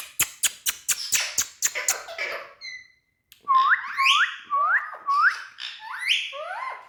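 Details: Tame ringneck green parrot: a run of sharp percussive clicks, then after a short pause a series of whistled, harmonic calls that swoop up and down, repeated roughly every half second.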